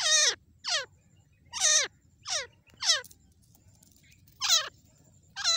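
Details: Calling female grey francolin, locally Irani teetar: eight strident, downward-sweeping notes in uneven bursts, a short silent gap near the middle before the series resumes.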